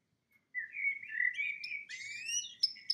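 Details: Singing male pet canary indoors, giving smooth slurred whistles that rise and waver, ending in short sharp high notes.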